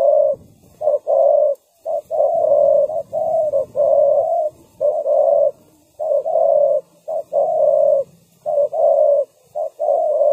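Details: Spotted dove used as a decoy to lure wild doves for trapping, calling in deep, mellow coos. A short note is followed by a longer drawn-out croo, repeated in steady phrases, with a faint low hum underneath.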